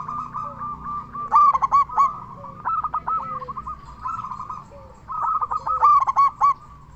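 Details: Local zebra dove, loud and frequent singer, used to stir other zebra doves to sing: continuous purring coos around one pitch, broken twice by louder clusters of quick staccato notes.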